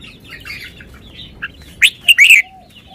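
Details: Caged red-whiskered bulbul showing its song phrasing: quiet warbling, then a loud, quick series of sharp, bending whistled notes near the end.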